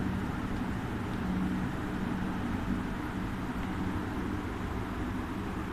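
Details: Steady broadband rumble, like traffic or a running motor, with a faint low hum throughout and no animal calls.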